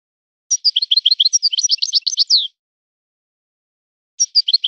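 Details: Forest-born European goldfinch in a breeder's singing style: a two-second stream of bright, high chirps and slurred liquid notes, ending on a downward slur, then a short twittering restart after a pause.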